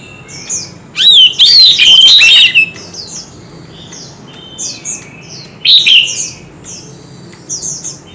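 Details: Kept white-rumped shamas in a heated singing contest of many voices: a loud, rich, warbling burst of slurred whistles lasts over a second, then a second shorter outburst follows, with fainter high chirps repeating throughout.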